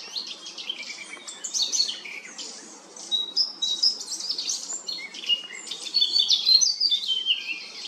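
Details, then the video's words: A Eurasian blackcap sings a rapid, varied warble of clear whistles and chattering notes that rise and fall in pitch, with a quiet hiss behind, in Remscheid, Germany, on 10 June 2022. "Mönchsgrasmücke sang verschiedene Vogel gesänge"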